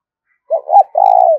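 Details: Loud, close spotted dove phrase, a call for luring birds into traps: a short coo, a swelling bent note, then a drawn-out buzzy coo that gently drops at the end.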